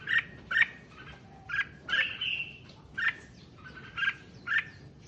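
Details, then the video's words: Red-whiskered bulbul, its song used to excite other bulbuls: softer, short warbled notes repeated in bursts about every half to one second. One longer slurred phrase is heard over a steady low background hiss. "Tiếng Chim Chào Mào Kích Chim Lên Lửa Nhanh"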